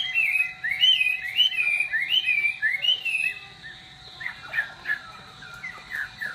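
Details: Loud, rich song of a Chinese hwamei: rapid looping whistled phrases repeated in quick succession, then softer, lower warbled notes, over a constant faint hum.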